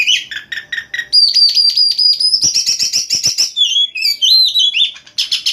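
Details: Oriental magpie-robin in full night-time song, 'nyembur' bursting style: a few clipped chips lead into a sustained high whistle, then dense rattling trills and looping whistled phrases.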